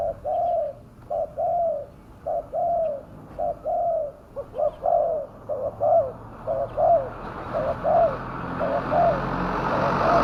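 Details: Spotted dove coos used to lure wild doves: steady low double notes, short then long, repeating while a broad rushing noise rises and grows loud toward the end.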